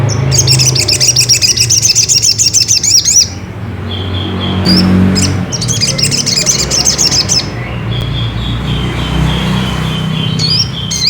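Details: Ruby-cheeked sunbird song used to provoke another bird into singing: rapid high chattering twitters in fast bursts for three seconds, then thinner sharp notes and a steady high note, over low hum and background noise.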